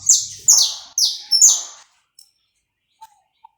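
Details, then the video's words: Live, uncut recording of a saffron finch singing to warm up the bird: four strong, high buzzy phrases about every half second, each starting sharp and trailing off, then a few faint thin chirps and near silence. "esquenta seu canário da terra em 10 minutos. som gravado aí vivo sem cortes"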